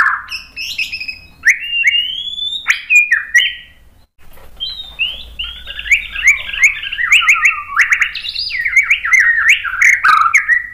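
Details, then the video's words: White-rumped shama song for provoking other birds: rich varied whistles, slurred rising and falling notes, and sharp clicks, then a long fast jumble of warbled phrases. "SUARA MURAI BATU Untuk Memancing EMOSI jadi NYAUT GACOR BONGKAR MATERI ISIAN"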